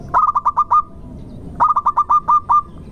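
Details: Two phrases from a local zebra dove used as a lure for other doves. Each phrase is a quick string of about seven short coos on a flat low pitch and ends in a drawn-out final note.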